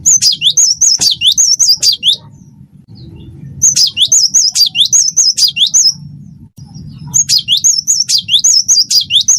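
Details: Wingko-type cinereous tit singing steadily as a tutor recording to coax song from other birds: three bursts of fast, repeated high whistled phrases, each a rising slur and a trilled note, separated by short pauses over faint low hum.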